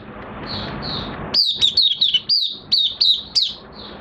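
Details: Oriental white-eye, minor moult, 3 June 2022: a couple of soft twitters, then a quick string of loud, ringing high notes that slur downward, about eight in a row.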